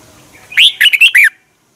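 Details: Thai caged Red-whiskered bulbul singing, played to rouse other caged birds: a single fluty phrase of four or five quick, bubbling notes rising and falling, lasting under a second, then silence.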